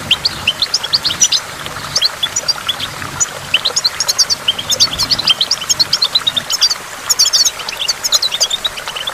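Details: Goldfinch song beside a waterfall: rapid, high, tinkling chirps delivered in long unbroken bursts, a brief lull near the middle, then dense twittering again, set against a quiet background hiss of falling water.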